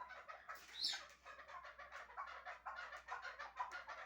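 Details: Shahritus chukar partridge, a bird kept for hunting, uttering dense repeated clucking notes with a brief higher squeal near the start and some background hiss.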